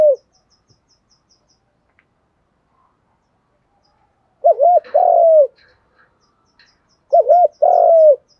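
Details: Spotted doves, male and female, calling with 'gù đấu' contest coos to stir birds being trained. Two low cooing phrases several seconds apart, each a wavering double note and a long falling note; a faint ticking runs through the quiet.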